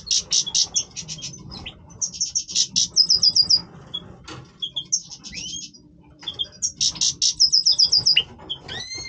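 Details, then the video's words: Goldfinch, Major form, in breeding voice: fast bursts of high rattling trills and tinkling notes, a few upward-sweeping slurred whistles, with phrases separated by short silences. "Stieglitz Major Breeding Voice - singing Goldfinch Part 1 طائر الحسون الرائد"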